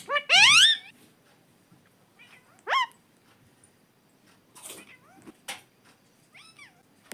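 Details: Pet parrot talking, giving a loud harsh squawk, then a rising whistled note and scattered shorter squeaky calls in a quiet indoor room.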